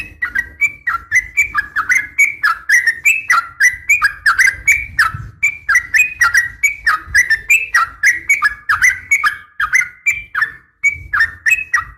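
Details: Calling female Sooty-headed bulbul summoning a male, recorded to stimulate kept birds; lively run of rising and falling whistled notes, roughly three to four a second, with crisp clicks, continuous for twelve seconds.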